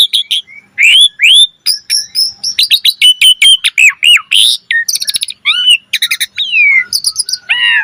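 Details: Lively Asian pied starling in full-variation gacor mompa song, pouring out a dense, rapid stream of short chirps, swoops and sharp slurred notes with hardly a pause.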